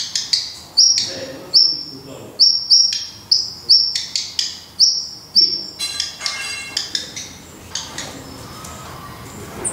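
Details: Black redstart at its nest in Portugal: thin, high, sharp chirps, repeated roughly every second, followed by a faster flurry of softer high notes, with a few dull clicks in between.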